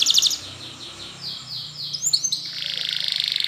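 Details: Spanish Timbrado canary singing a training song: a bright, rapid high trill opens, then softer sliding notes and brief whistles, ending in an even, rolling trill of fast repeated beats.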